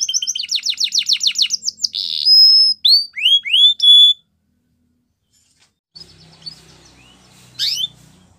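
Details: Belgian canary in training song: rapid trilled phrase, a steady whistle and a few looping slurred notes, then near silence with faint distant chirps.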